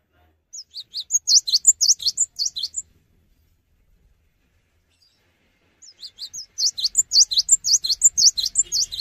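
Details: Cinereous tit singing vigorously without hopping about, two bursts of rapid high chirping notes, many short sharp up-and-down phrases packed close together, a pause of about three seconds between bursts, otherwise quiet background.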